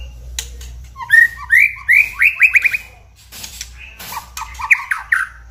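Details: Lure song of a white-rumped shama, played to make kept shamas sing eagerly and become agitated: rising whistled notes in quick groups, a pause, then lower slurred phrases and sharp clicks, with a faint low hum underneath.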